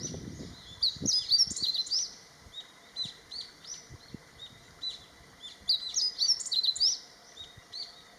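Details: Male meadow bunting singing to claim territory and attract females: two quick high phrases of thin, sharp, tumbling notes about five seconds apart, with low rumbling background noise.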